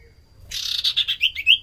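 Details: Common iora (sirtu cipoh) used as a lure: a burst of harsh, buzzy chattering notes leads into three rising, clear whistled notes; quiet background.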